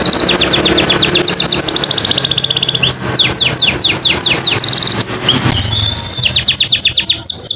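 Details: Canary song meant to prompt male or female canaries to sing: high rapid trills give way to a series of rising sweeps, then more quick rattling tours over a soft background hiss.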